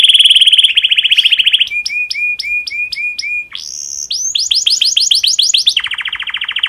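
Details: Canary in breeding condition singing to spur other canaries into song: a fast buzzy trill, repeated clipped notes, a rising slur, then quick downslurred whistles and another rolling trill.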